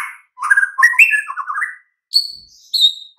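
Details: White-rumped shama song intended to prompt silent, listless birds to reply: a warbled run of mellow whistles and quick trilled notes, followed by two clear, drawn-out high whistles.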